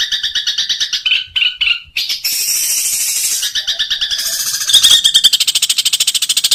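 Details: Long-tailed shrike training song with high chirping phrases, a harsh hissing burst in the middle, then a fast, even, repeated chattering trill.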